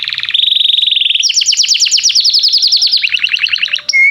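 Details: Singing canary used to stimulate young birds to learn song: a steady buzzy roll, then quick rising-falling repeated syllables in fast series, ending with a clear whistle.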